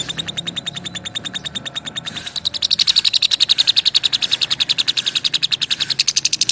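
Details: Lovebirds singing and chirping: a rapid, steady train of shrill, buzzy chirps with bright overtones, softer for the first two seconds, then louder and denser until the end, with no other clear sounds.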